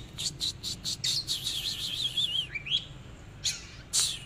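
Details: Oriental magpie-robin in display: a few sharp clicks lead into a sustained, quavering high warble that dips and rises, followed by a slurred note and further snapping sounds.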